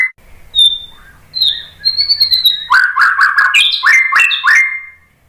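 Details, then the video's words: White-rumped shama song used to provoke other birds to sing. It opens with a few clear, drawn-out high whistles, then breaks into a rapid, energetic series of bright, varied chirped phrases with quick pitch jumps. "KICAUAN MURAI BATU bikin EMOSI NYAUT BONGKAR MATERI ISIAN ¦ PANCINGAN MURAI ¦ SHAMA BIRD"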